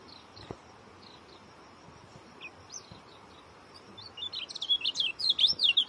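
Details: Oriental white-eye giving a few faint, isolated high notes, then breaking into a loud, fast string of sharp twittering chirps over the final two seconds; light background hiss with occasional soft knocks.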